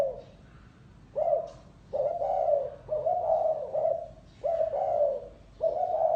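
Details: Spotted dove cooing in the 'lối gáy gù' style: five low, mellow coo phrases, each about a second long, spaced by short pauses. Faint chirps sound in the background.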